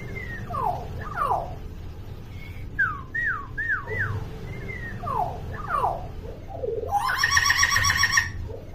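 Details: Talkative common hill myna, recorded as a tutor for young mynas that do not yet call, gives a run of downward-sweeping whistled notes, some doubled, then a harsh buzzy burst near the end over a low indoor hum.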